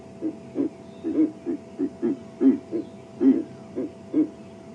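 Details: A pair of Verreaux's eagle-owls duet at dawn on 28 June 2015 at about 9°C, giving deep, grunting, full-body hoots likened to dueling trombones, about a dozen uneven pulses from two overlapping voices over five seconds, with a faint hum.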